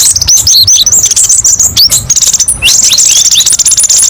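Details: Fast, high-pitched twittering from a kolibri ninja sunbird, with sharp burst-like phrases. Squeaky chirps tumble into rapid buzzy trills and short downslurred notes, delivered almost without pause, over a faint low background rumble.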